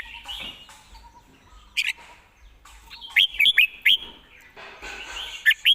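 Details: Red-whiskered bulbul giving a burst of four quick, slurred whistled notes after a softer opening, with faint background chirps and a steady low ticking series.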